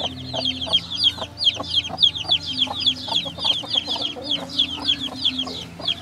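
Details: Baby chicks peep steadily: high, short, downslurred notes repeated several times a second, several birds overlapping, with faint low hum behind.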